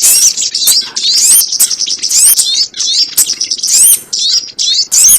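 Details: Sogon call played as a trapping lure, continuous high-pitched twittering made of rapid squeaky chirps and upward-sweeping whistled notes with only brief breaks.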